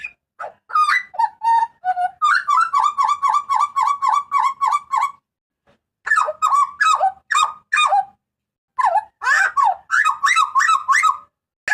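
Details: Papuan butcherbird with its typical loud, piercing cry, used for tutoring and lure recordings: long series of rapid, evenly spaced harsh notes, broken by short silences, then more rasping slurred bursts.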